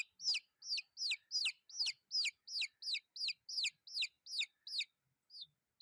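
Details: High, sliding peeps from chicks repeated quickly and evenly for about five seconds, then a gap with one fainter cheep near the end.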